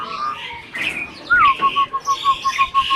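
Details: Adult Asian pied starling kept as a captive bird, imitating speech, ends with a rising-falling whistle followed by a rapid evenly spaced string of short clear notes, about eight in under two seconds.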